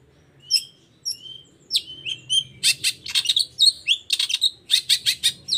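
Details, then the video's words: Long-tailed shrike 'toet toet' song aimed at prompting other shrikes to sing: a few thin, clear whistled notes open it, then it breaks into fast, scratchy chattering mixed with squeaky mimicry-like phrases. "Suara Cendet Gacor Toet toet Efektif Anti Gagal Bikin Cendet Malas pun Langsung Nyaut Bunyi Seketika"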